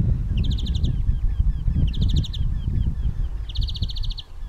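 A European greenfinch sings three rapid, ringing trills, each under a second long and spaced about a second and a half apart, over a steady low rumble of wind or traffic.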